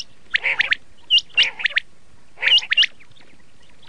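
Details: Red-shade common quail calling: short groups of two or three harsh, clipped notes with sharp hooked whistles, each group spaced about a second apart, over a quiet background.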